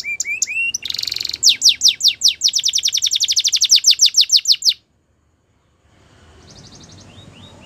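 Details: Spanish Timbrado canary song for training: a few rising whistles, a harsh buzz, then a long rapid series of sharp descending notes that stops abruptly, followed by near silence and faint short phrases.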